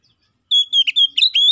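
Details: Brief 'gacor ngeplong' phrase from an Oriental magpie-robin, calling a rival as a lure: a sustained pure whistle broken by quick burry notes, ending on a rising whistle.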